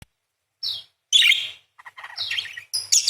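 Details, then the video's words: Chatty parakeet giving a full set of long 'nembak', 'beset' and 'crecet' roll phrases: a high descending chirp, then a loud harsh burst and rough buzzy chatter after short pauses. "PARKIT GACOR !! full materi nembak panjang beset crecet roll basic dasar murai // parakeet bird call"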